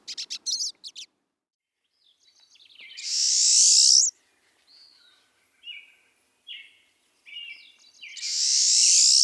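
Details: Pine Siskin, a flocking winter visitor with a strongly ascending call: a few quick high chips, then long harsh rising buzzes alternating with short twittering notes, all high-pitched.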